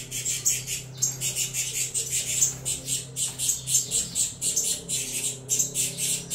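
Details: Captive saffron finch chicks of a Venezuelan crossbred line begging noisily while being fed: rapid, harsh, high hissing squawks, repeated about three times a second, with a faint low hum beneath.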